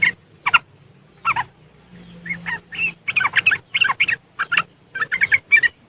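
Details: Chattering riwikan song of a yellow-vented bulbul from West Java, Indonesia, meant to coax lazy caged birds into singing; phone recording. Sparse single bursts open, then tighter runs of harsh, warbling notes build toward the end.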